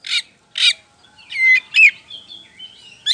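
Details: White-rumped shama, a kacer poci, singing loud and lively as a lure to make other birds answer: harsh buzzy bursts, then clear whistled slurs and sweeping notes with pauses between.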